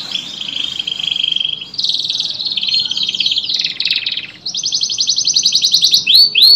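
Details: Canary song used as therapy for canaries that stopped singing: sustained rolling trills and buzzy warbles in long phrases, ending in fast repeated notes and upward sweeps.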